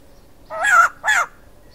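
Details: A male white-crested laughingthrush calls with two harsh, rasping notes, the first longer, about half a second apart.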